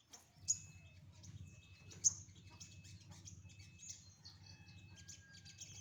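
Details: Sunbird sunning in the morning, with two loud, sharp, very high piercing notes about one and a half seconds apart among softer high twitters, over a low rumbling background hum.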